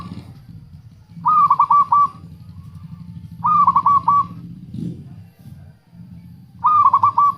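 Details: Zebra dove, local type, repeating its stuttered cooing phrase three times, roughly every two to three seconds, over a steady low hum; meant to attract wild doves and stir lazy doves into song.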